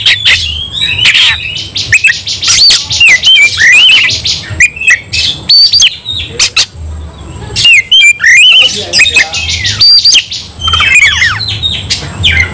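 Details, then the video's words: White-rumped shama singing while fighting hard, full of emotion: long run of sharp clicks, harsh rasps and twisting whistled phrases, loud and crowded, with short pauses. "kacer langsung KONSLET tarung ngotot full emotional"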